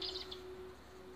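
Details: Golden tanager recorded in Manizales, Caldas, Colombia on 2 April 2020, giving a few quick, thin, high chips in the first third of a second over a steady low hum.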